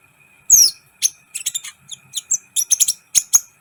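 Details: Lively sunbird, locally kolibri ninja, on a tutor recording meant to excite other birds: a loud high downslurred whistle, then rapid bursts of shrill chirps and scratchy twitters, with a faint steady tone underneath.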